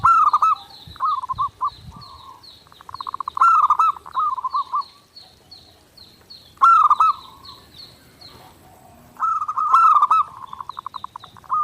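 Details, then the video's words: Zebra dove (perkutut) singing vigorously nonstop, a clear master song for daily training: stuttering, bubbling coo phrases given in bursts every few seconds. A higher-pitched bird repeats short chirps throughout the background. "SUARA PERKUTUT GACOR NONSTOP | MASTERAN PERKUTUT JERNIH UNTUK LATIHAN HARIAN"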